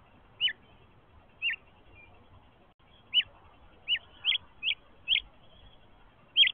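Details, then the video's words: A hungry, fluffy House Finch nestling gives short, high, downslurred chirps, about eight in under seven seconds at an uneven pace, over a faint low background hiss. "hungry nestling // House Finch"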